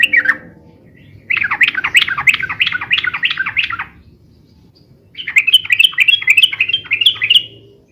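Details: Yellow-vented bulbul in noisy, rapid, long song used for luring and tutoring: two long rolling phrases of fast, swooping chattered notes separated by a brief pause over a soft background rumble.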